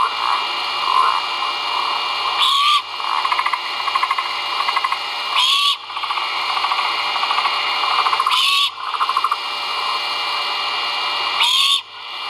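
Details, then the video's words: Great horned owl chicks vocalizing during a feeding at a nest under a live camera, 1.04.2022. Four rasping hiss-screeches come at roughly three-second intervals, with rapid ticking sounds and constant noise between them. "FOOD. CHICKS VOCAL"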